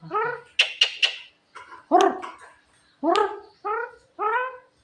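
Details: Javan myna, described as clever and funny, giving harsh nasal calls with stacked overtones, three sharp clicks near the start, then a run of short bark-like notes spaced under a second apart.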